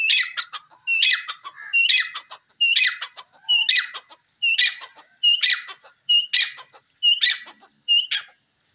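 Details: Grey francolin, desi teetar, with a high whistled note opening each harsh chattering burst, the phrase repeated steadily about once per second, ten times, in otherwise silent surroundings.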